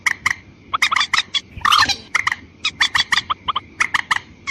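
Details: Rapid, harsh croaking of a white-breasted waterhen, used as a lure for both sexes, with a louder rough burst near the middle and clipped repeated notes before and after.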